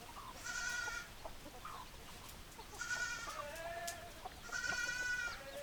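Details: Roosters crowing: three loud, harsh, drawn-out crows, each about a second long and roughly two seconds apart, ring out over a low farmyard hiss.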